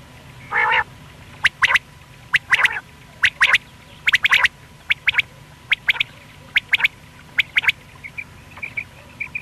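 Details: A single male quail calling, used for hunting, gives sharp, clipped notes in quick bursts of two or three, about once a second, over a faint steady background hum.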